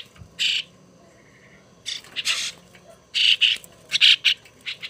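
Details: Young hand-raised starling kept at home calls with raspy, noisy squawks, an isolated one then quickening clusters of rough notes.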